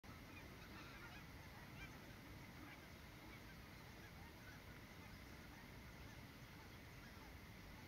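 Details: A flock of cackling geese in Miyagi Prefecture, Japan, where nearly ten thousand now arrive, gives a steady chorus of high, yelping honks, many birds calling over one another without pause.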